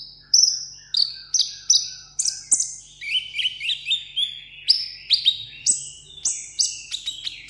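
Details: Sunbird kept as a tabletop pet in Vietnam, singing solo for a contest: repeated high down-slurred whistles, roughly two per second, with brief twittering runs in the middle.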